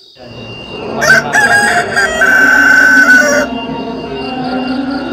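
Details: Rooster crowing at dawn, around the time of the morning call to prayer: one long, loud, strained crow rising sharply then holding a harsh, buzzy note for about two seconds before breaking off, followed by faint lingering tones.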